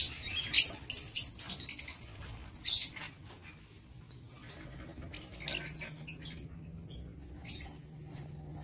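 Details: High, sharp chirping from lovebirds kept in an aviary on 22 August 2023, a rapid run of loud notes at the start, then softer, sparse twitters and a thin tone over low rumble.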